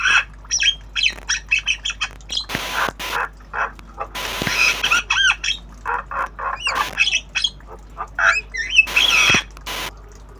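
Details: Captive black-winged starling singing obyogan style while learning sounds, a rapid stream of short harsh chatters, squawks and squeaky whistled notes, several long raspy broadband bursts mixed in.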